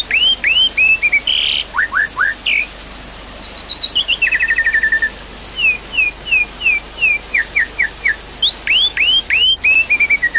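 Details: Javan pied starling song meant to coax a quiet bird into singing. A lively mix of hooked whistles, falling chirps, a quick descending rattle and evenly spaced slurred notes, with a soft rushing water-like backdrop.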